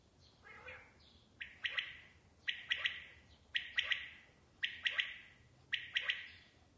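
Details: Quail giving harsh, buzzy bursts of two or three quick notes, repeated about once a second, with a faint low hum underneath, recorded 14 August.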